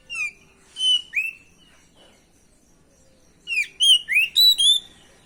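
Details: Oriental magpie-robin (kacer) song as a lure to make another bird answer: a few separated whistled and sliding notes, a quiet gap, then a rapid loud burst of about six sweeping whistles.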